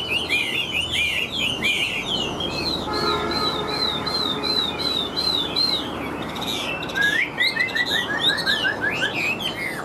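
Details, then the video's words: Large caged Chinese hwamei with yellow legs and bill, singing in the laughingthrush-tail style. It delivers a continuous stream of looping whistled notes, with a fast run of short descending chirps near the end. "Chim Họa Mi Hót Vẩy Đuôi Khướu"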